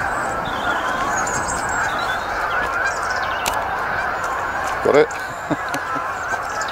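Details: Canada geese coming in to land at Lodmoor RSPB Reserve; a loud low honk near the five-second mark, with faint high calls above a steady broad wash of noise.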